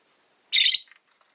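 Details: Rosy-faced lovebird, one of five kept in a cage by a window, giving a single harsh, buzzy high chirp lasting about a quarter second, then quiet.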